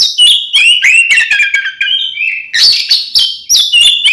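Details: Oriental magpie-robin in provoking fighting song, mixing fluted descending whistles, buzzy harsh notes and quick chatter in near-continuous loud phrases.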